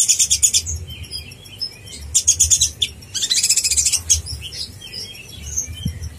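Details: Brown-throated sunbird of the speckled konin blorok type in energetic gacor master song, meant to provoke other konin: bursts of very high, dense chattering trills alternate with sharp thin chirps and short pauses, over a faint low hum.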